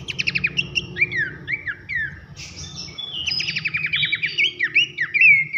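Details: Loud whistling nyiul song of a Horsfield's babbler (pelanduk semak), used as a training recording for songbirds: rapid repeated buzzy note bursts alternating with downslurred whistles, a high rasp near the middle, then dense trilled phrases over a low background hum.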